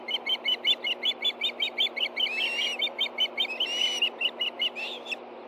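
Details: Ospreys at a nest in Hellgate Canyon, Montana, 24 August 2013, 10:46 a.m., on a nest camera livestream, stirring as a fish is brought to two hungry birds: rapid, high, clipped chirps repeated steadily, broken by a few slurred whistles.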